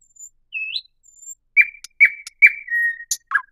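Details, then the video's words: Thrush nightingale delivering a high thin whistle and a rising slurred note, then loud, clipped descending notes repeated about every half second, ending in a sustained flat whistle and a few sharp ticks. "صوت جديد للعندليب الشائع [تغريد|نداء] New Sound of Thrush Nightingale [Song|Call]"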